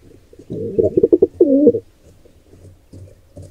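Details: Wild pigeons at a nest while an intruder pair attacks a nestling: a short burst of low, throaty coos and stuttering pulses followed by one rolling, wavering coo, then quiet with faint shuffling.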